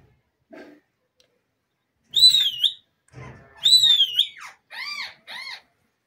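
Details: Green talking parrot, a pet bird said to speak Urdu and Hindi: loud wavering whistled notes, then short arched, harmonic squawk-like syllables in quick succession, after a faint soft sound at the start.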